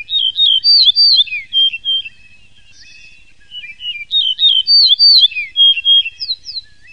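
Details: Yellow-breasted bunting giving two bright whistled song phrases, each a rapid chain of high slurred notes, with a quiet pause between them.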